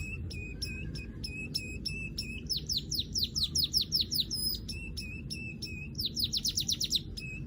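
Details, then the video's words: Weaver calling: short sharp high chirps repeated in quick series, with bursts of rapid descending ticking notes, about two or three notes a second overall; steady low hum underneath. "Crecet .. Cret ..!! SUARA PANGGILAN BURUNG MANYAR"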